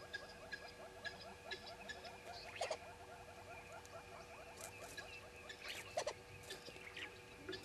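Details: Several red-billed hornbills at Djuma, 05:34 on 10/02/19, giving a dense, rhythmic stream of rapid clucking notes that stacks into a busy chorus, with brief sharp clicks and high bird chips scattered through.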